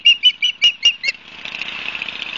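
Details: Osprey at the nest in Barnegat Light, New Jersey, 12 September 2022, 16:34, on a live camera; six quick, sharp whistled chirps, then a soft rushing hiss takes over.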